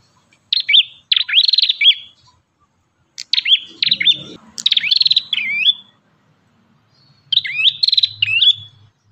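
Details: Ashy tailorbird singing vigorously: short loud bursts of fast stuttering chirps ending in sharp downslurred notes, three phrases spaced by silent gaps of a second or more, with a little low background noise.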